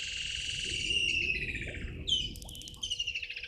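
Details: Juvenile martial eagle (Polemaetus bellicosus) in a tree across Gowrie dam, Djuma Game Reserve, Sabi Sand, South Africa, 16:07, 02/05/2023: a long, wavering, high whistled scream, then a sharp rising squeal and a quick run of pulsed notes, over a faint steady hum.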